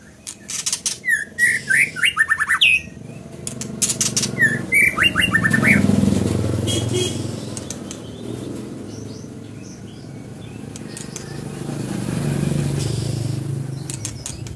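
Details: Scarlet minivet singing two quick runs of bright, sweeping whistled notes with clicking taps, then a passing engine rumble dominates.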